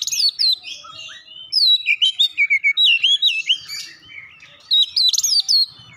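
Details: Song of an oriental magpie-robin copying Java sparrow, rapid strings of bright looping whistles and clipped chirps in quick bursts separated by short pauses.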